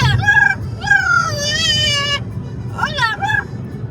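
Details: Amazon parrot vocalizing loudly on a drive, a drawn-out wavering whistled call followed by short rising squawks, over constant low engine and road noise.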